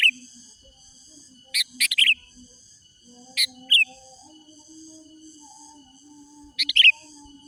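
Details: Wild sooty-headed bulbul, recorded to lure rivals: short groups of a sharp note plus liquid slurred whistles, three bursts spaced a few seconds apart, over a quiet background with faint hum.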